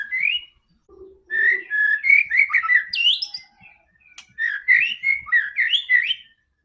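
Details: White-rumped shama song, played to stir a silent bird to sing: varied whistled phrases with upward sweeps and a high squeaky note, a brief low buzzy sound, in three bursts.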